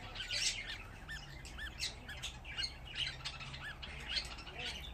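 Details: Fifteen young budgerigar chicks, several thought female, gathered in one place with an older bird and still frightened, squawk and chirp together in a constant jumble of short, arched, scratchy notes over a low hum while a person speaks softly.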